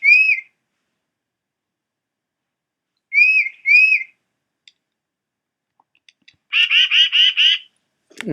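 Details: Tufted Titmouse at Hollis Crossing on the Nashua River, Nashua NH, July 2012: clear, slurred whistles, first singly and then as a quick pair, followed by a run of five rapid, harsh, buzzy notes.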